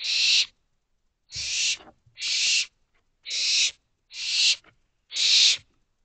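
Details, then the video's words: Barn owl owlets calling for more food at night in an owl box; six rough hissing screeches in under six seconds, spacing slightly irregular, with a brief low thump at one call. "Owlets Calling For More Food."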